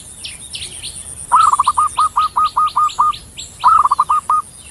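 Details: Javan zebra dove, known locally as perkutut, singing a long rolling phrase of about nine evenly repeated soft pulses, then a shorter rolled phrase. Sharp high chirps from other small birds are heard throughout.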